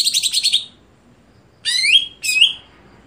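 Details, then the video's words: Greater green leafbird: a quick series of rasping notes, then two rising, slurred whistles, each ending in a brief bright trill. "Apakah Stelan Cucak Hijau Bisa Di Patenkan"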